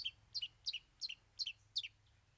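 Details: Long-tailed Shrike delivering a song of three mimicked fillings: six crisp, high, two-part notes, each sliding sharply downward, repeated about every third of a second in a steady, clean series.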